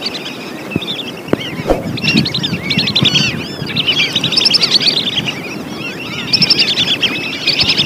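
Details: Several lesser whistling ducks whistling, from a recording used for luring: overlapping strings of high, slurred, chattering whistles building in intensity, with a few knocks early on and a low steady rumble.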